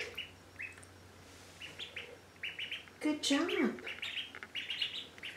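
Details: Indian Runner ducklings in a bathtub peeping in short high chirps, one young duck swimming, with a woman's encouraging voice and a brief louder descending call midway over faint background hum.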